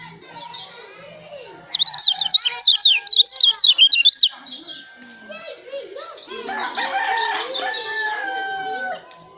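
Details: Lombok white-eye singing, kept as a training song: a bright two-and-a-half-second burst of fast, high, repeated whistled slurs. Then people's speech, children's voices and harmonic calls from other birds take over.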